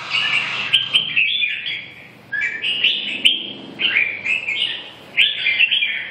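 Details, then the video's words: Red-whiskered bulbul singing loud, warbled whistled phrases that slur up and down, delivered in bursts of several notes with brief pauses between them. "chim Chào mào"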